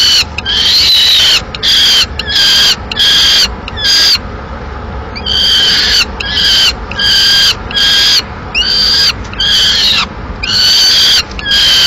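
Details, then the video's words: Peregrine falcons at a Madrid nest in May 2016, the male having brought in a live swift that the female kills; rapid series of harsh, strained wailing notes, roughly eighty a minute with brief pauses. "Halcón peregrino"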